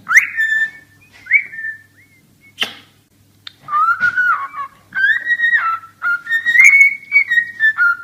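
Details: Cockatiel singing and talking: short whistled slides and a few sharp clicks, then longer warbling whistled phrases that rise and fall, repeated with brief pauses.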